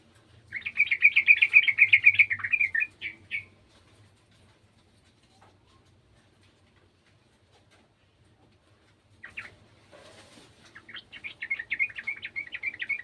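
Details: Garden yellow-vented bulbul song: a rapid bubbling chatter of short notes lasting about three seconds, a long silence, then further bursts of quick warbled notes after a brief rustling noise.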